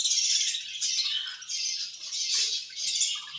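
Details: Budgerigars eating and chirping angrily: dense, harsh, buzzy bursts of chatter, high-pitched and overlapping, pulsing about one and a half times a second with short dips between bursts.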